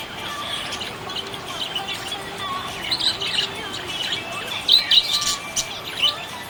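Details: Budgerigar described as happy, giving scattered high chirps and short buzzy notes that grow louder and denser in the second half, over a faint steady background hiss.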